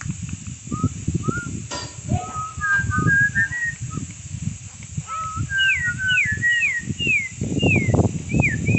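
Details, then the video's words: Campo troupial in song, learning the national anthem's opening notes: clear whistled phrases, some steady and some rising, then a string of looping downslurred whistles repeated about every half second, over low rumbling background noise. "CORRUPIÃO CANTANDO SHOWW (aprendendo o hino nacional)"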